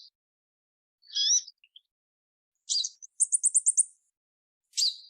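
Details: Purple-throated sunbird calling: a few very high, thin, sharp chirps and squeaky notes, then a quick run of six clipped ticking notes, then one more sharp chirp, against silence.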